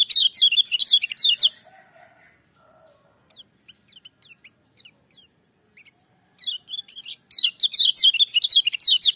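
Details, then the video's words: Kecial kuning, the lemon-bellied white-eye, gives a loud, ringing song. Fast bursts of high, chattering twitters start and end the recording. In between are a soft lower warble and scattered single sharp chips with pauses. "Kecial Kuning joss gacor menggelegar tapi merdu"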